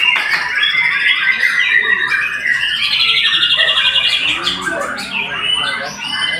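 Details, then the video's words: White-rumped shama in rapid, continuous song: rich whistles, trills and quick chips tumbling over one another, with a buzzy rattled passage near the middle. "Murai memang TOP MARGOTOP"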